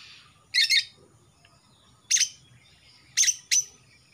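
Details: Young male greater green leafbird of Kalimantan, past the spotted stage, utters scratchy double bursts at irregular intervals, about one every second or so.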